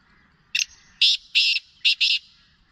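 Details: Black francolin giving a loud, harsh, grating phrase of five rasping notes: a short first note, then longer buzzy bursts, all within under two seconds against a quiet background.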